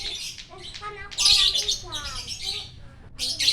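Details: Lovebird singing in the morning at Parahyangan Village, Jatihandap, Bandung, Indonesia: harsh chattering bursts and high squeaky phrases with some tonal notes, a little background noise.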